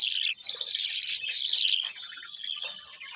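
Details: Colourful budgerigars keep up a steady, continuous high chatter, thin and buzzy, with scarcely any pause throughout.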